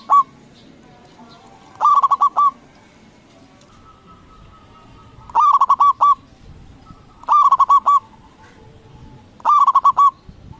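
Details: Zebra dove of local origin, used to stir other doves into answering: four bursts of quick, stuttering coo notes spaced about two seconds apart, each a rolling run of five or six pulses, plus a brief opening note.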